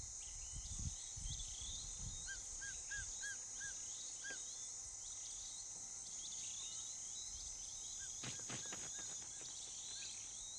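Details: A female martial eagle calls from her nest in the scorching Kalahari during the mating season, the usual prelude for pairs that mate for life: a short series of five clear, slurred whistled notes, repeated later, over loud insect hiss.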